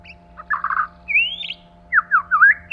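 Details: Male and female White-rumped shama during 'kích lửa': a rolling buzzy chatter, then a long rising whistle and a quick falling-rising slurred phrase, over electrical hum.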